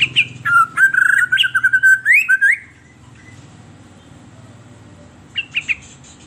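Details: White-rumped shama song used as a lure for captive birds: a rich run of fluting, wavering whistles with a buzzy overlay for about two and a half seconds, then silence and two short high notes.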